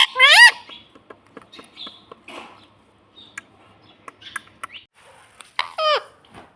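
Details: Pet parrot mimicking "mummy" and "papa", giving one loud, curved, harmonic call at the start and another near the end, with faint clicks and rustles in the gap.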